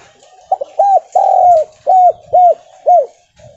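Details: Javanese spotted dove (tekukur, derkuku) giving a stuttering 'gagap' kuk-2/kuk-3 style lure call, meant to make other doves answer. Mellow arched coos: two quick ones, one long drawn-out coo, then three even coos about half a second apart. Faint room noise.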